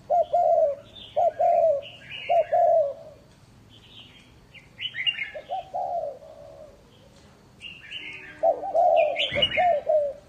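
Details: Lure spotted dove from a breeding farm in Ba Vi, Hanoi, Vietnam, cooing in short phrased bursts, interrupted by higher buzzy chirps from another bird and a sharp click near the end.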